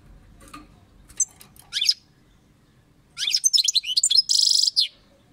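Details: European goldfinch song: scattered thin high chirps and a few sharp notes, then a rapid burst of tinkling twittering ending in a dense buzzy trill.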